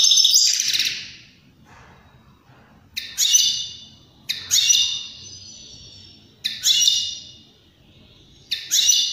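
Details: European greenfinch song for stimulating other birds to sing and mate, here in short separate bursts: several brief buzzy twitters roughly every one to two seconds with quiet gaps between.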